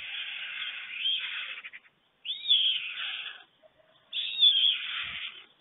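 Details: Adult white storks on a nest in Germany at dawn, 5:38 a.m. on 24 June 2020, one greeting its returning mate before the storklet is fed; three long, hoarse, breathy rasps with silent gaps between them.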